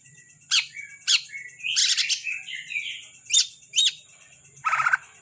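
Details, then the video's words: Greater green leafbird of the Kalimantan type, a prized kept bird, giving sharp, loud chips at about half-second gaps, then a short harsh burst and a buzzy trill at the end. A steady high hiss and a faint low hum run beneath. "Burung cucak ijo kalimantan dak kalah sama cucak ijo Banyuwangi"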